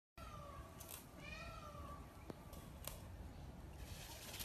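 A peafowl gives one drawn-out, nasal, wailing cry that sags slightly in pitch and lasts over a second. Steady low rumble and a few sharp clicks sit beneath it.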